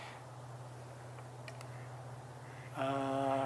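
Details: Indoor room hum with a few faint clicks, then a steady harmonic electronic tone starts near the end; no animal voice.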